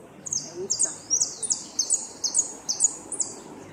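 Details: Saffron finch at a northern-zone repique singing contest in 2016, placing second: clear series of about nine high, buzzy, downslurred notes, evenly spaced roughly every 0.35 seconds, with little background.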